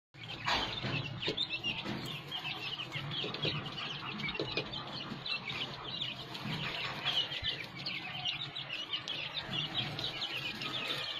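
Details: Captive-bred Dakhni teetar (francolin) chicks give a dense, continuous chorus of high, thin peeps and chirps that overlap without pause, with occasional lower clucking beneath.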